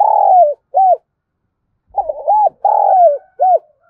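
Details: Spotted dove used as a lure bird in Đồng Nai, Vietnam, to draw in wild doves. A low, burry coo phrase ends with a short arched note, then after a pause a full phrase follows: quick stuttering notes, a long rolling descending coo, and a short final coo.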